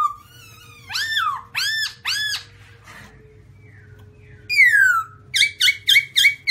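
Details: Black-throated laughingthrush with white cheeks sings arched, rich whistles, a long falling note, then a rapid burst of sharp high notes, with a faint steady hum behind.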